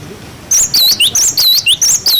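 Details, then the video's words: Cinereous tit (glatik batu) with its clear 'wucit wucit' tutor song for young birds: after half a second of low murmur, loud quick whistles loop up and down in a rapid, even string. "Masteran glatik batu wucit wucit"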